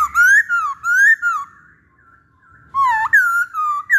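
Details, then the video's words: Poksay Hongkong, the masked laughingthrush, in a pancingan recording. Loud, clear whistles rise and fall in a wavy chain, pause briefly, then resume with a swooping low note and more undulating whistles. "Pancingan Poksay Hongkong"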